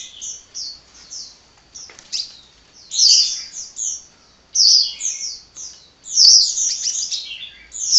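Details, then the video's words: Sunbird known locally as kolibri singing without rest: scattered thin chirps, then louder bursts of rapid squeaky twittering roughly every one and a half seconds, ending in a dense chattering run. "Kicau Burung Kolibri Ngocehnya Ngedyan Ra Leren Leren"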